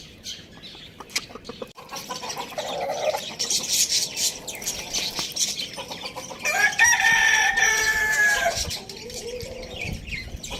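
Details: A pet rooster housed with hens, chicks and budgies crows once midway, a sustained harmonic cry that rises and trails down. Busy budgie chirping and chatter fill the rest.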